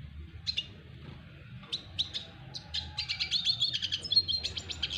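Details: Red siskin of double dilute colouring wooing a female: spaced single high chips, then a quickening run of twittering notes and buzzy chatter to the end, over a faint low hum.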